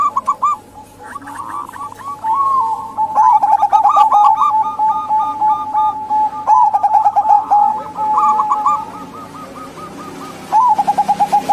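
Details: Local female zebra doves, a lure recording meant to draw silent males or wild doves into calling; bursts of rapid, stuttering coo notes overlap from several birds over a steady humming tone, with quiet gaps between phrases.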